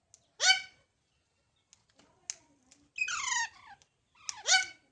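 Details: Baby parrots making loud, rasping squawks with falling harmonics, a few soft clicks between calls, and a longer buzzy call midway, in a quiet room.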